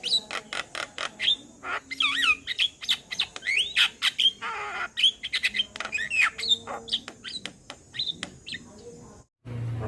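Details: Javan myna male calling to its companions, used as a lure: dense mix of rapid clicks, harsh squawks and looping whistled phrases, with a broad raspy burst midway and an abrupt cut near the end.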